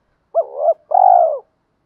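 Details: Decoy spotted dove coo meant to spur captive males into answering fight coos: a clipped rising-falling opening, a burry middle note, then a long, even, slightly throbbing coo. No other sounds.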